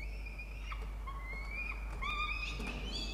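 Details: Peregrine falcons feeding a chick in a nest box at Orange, New South Wales, Australia, 1 November 2021: a string of long, drawn-out whining notes, some rising and wavering, over a faint hum.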